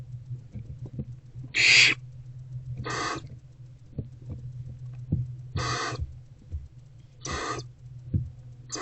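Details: Barn owlet eating a rodent in a nest box, 29 February 2024, early afternoon: five spaced harsh hissing screeches, one louder and tonal, with soft clicks and shuffling between them and a constant low hum.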